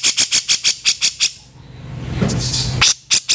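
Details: Grey-cheeked bulbul, rough 'kasaran' call for training cage birds: eight quick raspy notes, a gap of low background noise, then a few more harsh notes.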